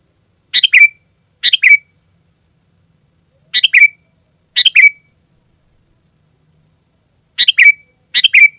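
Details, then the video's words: Sooty-headed bulbul singing intensely, a recording meant to call wild bulbuls and teach captive ones: six brief, gurgling phrases, each closing with a whistled downslur, given in irregular pairs with clean quiet between. "Suara Burung Kutilang Gacor Rapat Menekan Lawan Paling Ampuh untuk Suara Panggilan dan Masteran"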